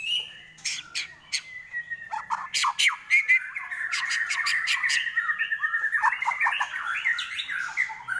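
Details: White-rumped shama, called murai batu, singing at a bird gathering: sharp clicking notes, then a fast rolling stream of warbled, chattering phrases that keeps going for several seconds.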